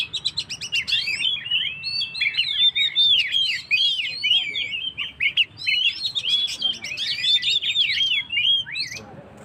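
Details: Oriental magpie-robin singing in full 'gacor' style, played to rouse and provoke stressed birds. A rich, fast stream of varied whistles, slurred upward and downward notes and sharp chips, over a low steady hum.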